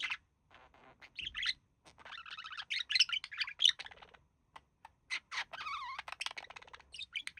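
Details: Two pet budgerigars, the male reportedly imitating human speech: loud, fast chatter of scratchy notes, clicks and wavering whistled tones in rapid bursts broken by short pauses, close and clear over near silence.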